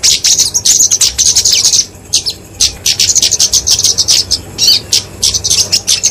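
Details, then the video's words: Genus Dicaeum flowerpecker, called kemade, delivering a fighting song meant for training and luring songbirds; shrill rapid ticking bursts, a brief pause, then renewed dense high chattering notes. "Kicauan Kemade Tarung Untuk Masteran&Pikatan Burung Kecil!"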